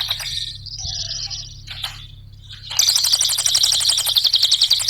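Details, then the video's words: Cililin singing in the nembak ngetik style, a lure for training other birds: scattered high chirps and short rasps at first, then a dense fast ticking trill running to the end. "Mp3 suara Cililin RAPAT GACORNYA,pancingan cililin"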